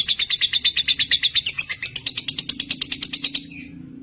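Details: Caged Lutino opaline lovebirds in a colony give a fast run of shrill, high chirps, about seven a second for three and a half seconds, evenly pulsed and then stopping abruptly.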